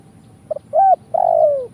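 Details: Short excerpt of spotted dove cooing, used in Indonesia as a lure for trapping: two quick soft notes, a steady coo, then a long rolled coo slowly descending in pitch.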